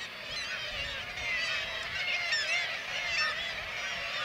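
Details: Black-legged kittiwake colony, Varangar, Norway, with white-tailed eagles preying on chicks; continuous overlapping calls, some clearer sliding notes standing out above a steady chorus of many wavering voices.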